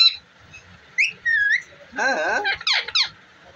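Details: Pet ringneck parrot mixing brief rising whistles with a buzzy, speech-like phrase and sharp squeaky syllables near the end, recorded close indoors.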